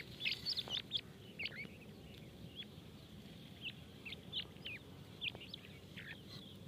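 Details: High, thin peeps from grey francolin chicks at feeding, a busy cluster at first, then scattered single upswept chirps over a steady low rumble.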